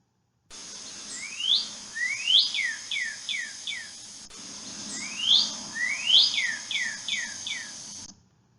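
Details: Northern cardinal (Cardinalis cardinalis) song: two phrases of clear whistles, each a long rising slur followed by four quick down-slurred notes, repeated about every four seconds.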